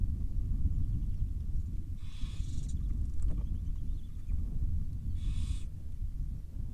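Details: Wild barn owl family with young in Israel: two harsh, breathy hissing screeches, each under a second, separated by about three seconds, over strong low rumbling background noise.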